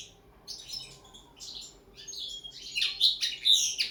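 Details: Caged common linnet practising table song in its first training: fast twittering phrases that grow steadily louder into a bright, rapid warbling trill.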